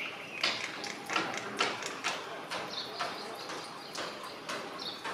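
A common myna gives a rapid jumble of harsh, rasping chacks and clicks, about two a second, mixed with short high whistled notes.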